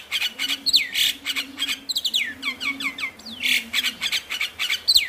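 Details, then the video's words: Song of the Javan myna, used to stimulate mynas that are reluctant to sing: loud squawky bursts interspersed with clear whistles sweeping steeply downward, in a busy continuous sequence. "Pancingan Burung Jalak Malas Bunyi | jalak Stres / Jalak Pikatan"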